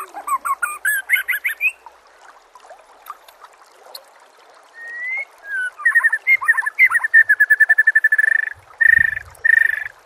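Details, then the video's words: White-rumped shama song meant as a training recording for captive birds: fast chip series, pause, long whistles, then a rapid steady run of repeated whistled notes about eight per second. "MASTERAN SPESIAL TAHUN INI AUDIO JERNIH KOMPILASI MEWAH UNTUK SEMUA JENIS BURUNG MURAI BATU"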